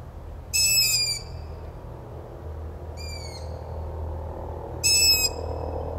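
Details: Young Long-eared Owls in late spring or summer begging heartbreakingly for food: three high, squeaky, slightly falling calls like a creaking gate, spaced a few seconds apart, over low rumbling; species breeds in tree groups in cemeteries, gardens and forest edges in Germany.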